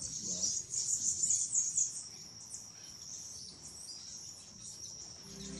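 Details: Endemic Azure-shouldered tanager in Brazil's Intervales State Park: a brisk burst of thin, very high chittering chips over about two seconds. After that comes a faint steady high tone and background hiss.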